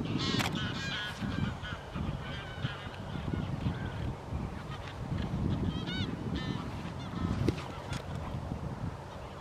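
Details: Scattered nasal honks from a tundra bean goose at Wimpole Hall, Cambridgeshire, December 2020, some closer and brighter, spread irregularly across the recording against steady low rumble and occasional clicks.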